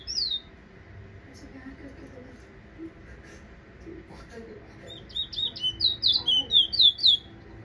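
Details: Guyanese towa towa finch (ruddy-breasted seedeater) whistling: a single high whistled note at the start, then a quiet gap, then a quick run of about ten bright, sliding high whistles over a faint low room hum.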